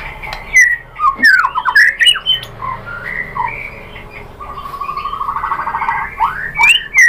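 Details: Murai batu, the white-rumped shama, singing as a lure recording meant to draw out singing: loud sliding whistles and harsh squawk-like notes, then a long buzzy rattling stretch of rapid pulses, ending in more sharp whistled slurs.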